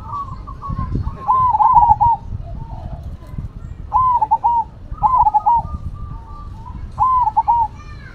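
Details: Zebra dove (perkutut) of the Cemani and Silver varieties, two birds singing actively against each other: rolling, bubbling coos in short phrases, five repeated with pauses between, over a low steady rumble.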